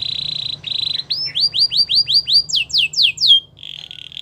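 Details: Belgian canary gives a steady buzzy roll, then about ten repeated upward-hooked whistles and a few steeper sweeps before returning to a buzzy trill, over a low background hum.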